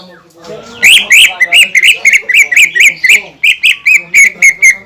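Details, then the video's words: A greater green leafbird's provoking song, delivered as a brisk, rhythmic chain of loud, slurred, chevron-shaped whistled notes, roughly three to four per second, continuing steadily to the end. "PANCINGAN CUCAK IJO GACOR YANG BIKIN BURUNG CUCAK IJO LAIN EMOSI DAN LANGSUNG GACOR"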